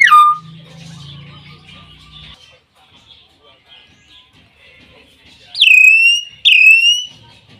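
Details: Common hill myna calling: a high whistle dropping sharply at the start, quiet murmuring, then two loud ringing whistles that rise abruptly and hold steady, spaced under a second apart.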